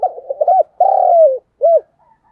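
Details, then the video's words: Spotted dove, a lure bird, giving a full, strained cooing call: a quick stuttered run of short coos, one long falling coo, then a single rounded note, all low and hollow. "cu gáy thúc gù, sung và rất căng// tiếng cu gáy mồi chuẩn"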